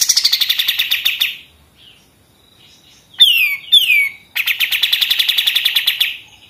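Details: Pied triller song in the machine-gun style, for tutoring other songbirds: rapid high rattling notes, a pause, two loud downward-swept whistles, then a long fast chattering series that fades out.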